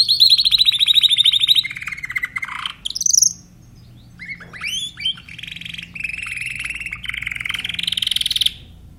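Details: Song of a Timbrado canary. A fast high trill drops into a lower rolling trill, then comes a brief pause and scattered sharp chirps. The song ends with a long, steady, rattling roll that rises slightly in pitch.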